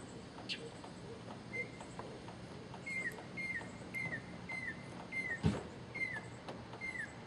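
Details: A male mockingbird in Okeechobee sings, repeating a short, slightly falling mid-pitched note about twice a second over a soft background hiss, with one sharp tap near the end.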